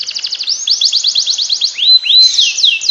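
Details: Canary song played to stimulate lazy canaries to sing continuously: fast high rolled trills shifting into sharp rising whistled sweeps, then a quick descending slur, bright and unbroken.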